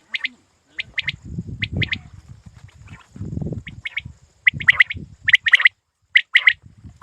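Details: Hunting quail uttering crisp high notes in pairs and trios, repeated irregularly through the stretch, with low murmuring voices or rumble beneath the first half.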